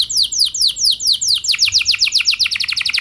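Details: Canary lure song for getting other canaries singing: high descending sweeps that speed up from about four to eight per second.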